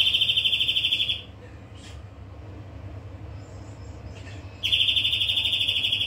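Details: European greenfinch song: a quick, ringing trill opens, then over three seconds of near-silence with faint notes, then a second fast trilled phrase starts and carries to the end.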